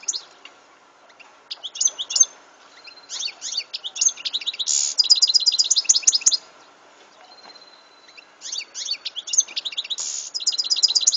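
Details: European goldfinch singing, recorded in 2014: bright, tinkling twittered phrases in quick bursts of rapid notes, broken by short pauses and one thin drawn-out whistle, with very faint background hum.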